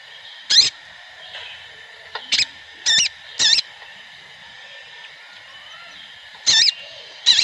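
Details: Sooty-headed bulbul (Pycnonotus aurigaster), calls.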